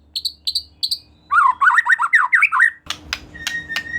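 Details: Singing white-rumped shama (murai batu), a lure meant to make another shama sing: three high clipped whistles, then a lower rolling zigzag warble, ending with sharp clicks and a thin sustained whistle.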